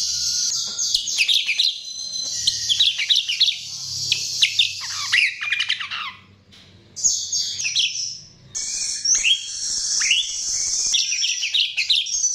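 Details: Chestnut-tailed starling song used as a lure: bursts of jumbled squeaky chattering and downward-slurred notes, separated by short silences, with high whistled runs between the bursts.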